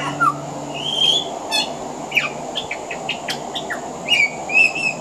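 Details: Pied butcherbird singing on an Australian veranda, weaving in mimicry of other Australian birds: busy clear whistles, quick rising and falling notes and sharp clicks throughout, with steady background hum.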